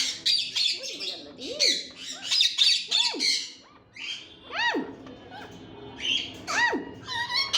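An Indian ringneck parakeet talks in a harsh, nasal voice, its rising-and-falling word-like tones mixed with shrill squawks and chatter over about seven seconds.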